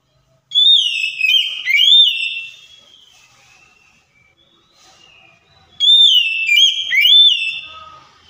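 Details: White-rumped shama song played to stir a quiet, stalled bird into singing back: two bursts of clear whistled notes with sliding, dipping phrases and overtones, separated by a few seconds of soft quieter twitters.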